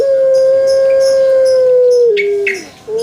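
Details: Drawn-out crow of a pelung chicken in a banana garden: one clear sustained tone lasting over two seconds, then dropping in pitch and fading, with faint high chirps behind.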